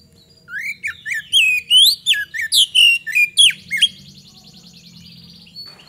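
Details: Magpie-robin in vigorous song used to draw responses from other birds. A steady run of loud whistled upslurs and downslurs, about three a second, gives way to a fainter buzzy trill from background birds.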